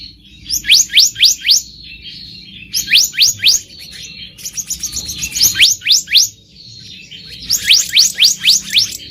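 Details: Black-naped monarch in the wild, used as a lure: clusters of four to six quick upsweeping whistles separated by brief pauses, with some softer rasping notes mixed in.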